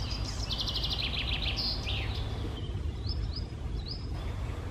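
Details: Icterine warbler singing high in treetops on the morning of 1 June 2020, with chaffinch and blackcap also singing; a varied, hurried phrase of rapid repeated high notes, then scattered upslurred whistles, over a steady low rumble.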